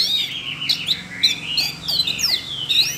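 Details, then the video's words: Siberian rubythroat kept in a cage, stirred to sing by training recordings meant for a young bird. Gliding whistled notes rise and fall, mixed with quick chirps and scratchy slurs in a busy high-pitched phrase. "chú oanh cổ đỏ nổi hứng hót chuyện"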